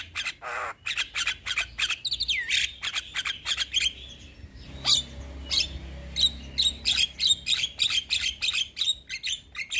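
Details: Javan myna, a young bird in full song, kept as a model and prompter for other myna species: dense, rapid runs of sharp clicking and chattering notes, a brief rising whistle early on, and a short pause midway.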